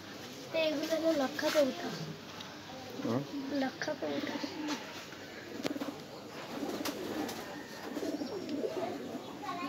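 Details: Mother pigeon caring for her two chicks, giving low, throaty coos in short rolling bursts, with faint human voices nearby.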